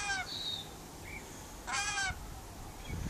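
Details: Harsh, noisy screeches from a pet rainbow lorikeet having outside time on a verandah, one at the opening and a longer one midway, answered by brief high whistles from other birds.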